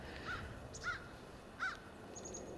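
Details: An American crow gives three short, hoarse caws about two-thirds of a second apart, somewhat distant over a quiet background, in snowy Sapsucker Woods, Ithaca, New York, on 27 November 2014 amid fresh winter snow.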